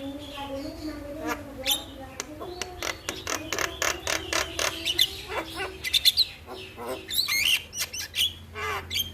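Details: Morning starling song for tutoring kept birds: low nasal chatter and rapid clicks building into dense bursts of harsh squawks and sharp whistled notes.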